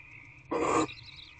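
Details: Barn owl at a nest box with eggs, at night on 2/6/24 around 11:32 pm as prey, possibly a bird, is brought in: one short rasping hiss-like screech, loud and broadband, over a constant background hum.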